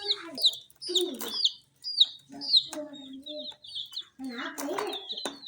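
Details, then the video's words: Colourful tiny chicks feeding on spicy Sun Poppers utter sharp, falling peeps in irregular bursts, interspersed with clicks of pecking and a few lower, softer tonal notes in the background. "Chicks Chirping"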